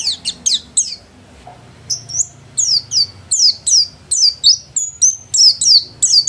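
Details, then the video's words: Kept white-eye (pleci) in home-class singing form, delivering rapid bursts of thin, high, downslurred chirps and short twittering phrases in irregular clusters, with a brief pause near the start. "Burung pleci gacor kelas rumahan"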